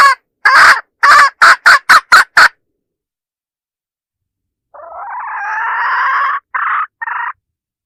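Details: Lure hen giving a quick series of short harsh cackles, a long silence, then a drawn rasping note and two shorter ones, used to attract roosters.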